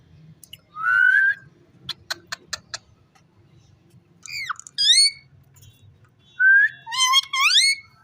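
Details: Rose-ringed parakeet mixing a level whistle, a string of sharp clicks, and several squeaky rising and falling syllables in clustered bursts, over a soft low background hum.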